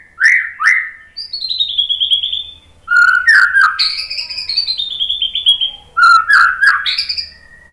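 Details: Song of a white-rumped shama played to coax other birds into singing. Clear whistles include long, gently falling notes, mellow low phrases and scattered clicks, delivered in three main bouts.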